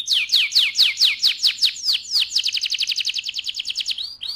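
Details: Canary singing to excite the male and ready the female for breeding: loud, clear down-slurred whistles repeat steadily, then speed into a rapid, even rolling trill before ending with two short rising notes.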